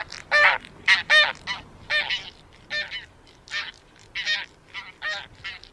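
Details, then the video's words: Taiga bean goose calling in a series of nasal, harmonic honks, single and doubled, roughly one or two per second with short gaps and light background noise. "寒林豆雁/Taiga Bean Goose"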